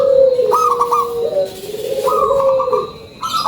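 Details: Local zebra dove lure-call cooing, drawn-out mellow notes followed by a fast run of short higher coos, with other doves overlapping and a constant background hiss.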